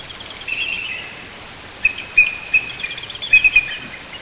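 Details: Bald eagles at their coastal nest, 70 feet up a white pine in Hancock County, Maine: a soft high trill, then a scattered string of sharp, piping chirps against faint background hiss.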